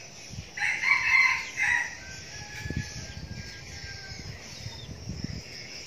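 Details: A young decoy red junglefowl rooster delivers one loud, harsh, broken crow lasting just over a second, then thin insect buzzing and scattered low taps remain.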